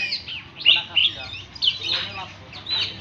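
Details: Oriental magpie-robin song of short whistled and rasping notes, a few sharp bright accents near the start, then scratchy slurred phrases, with a faint low hum underneath.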